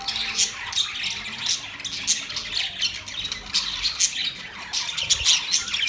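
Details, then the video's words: Budgies keep up a rasping, squawky chatter broken by frequent short, bright chirps, the overlapping calls running on steadily. "Beautiful parrot sound | budgies relaxing sound"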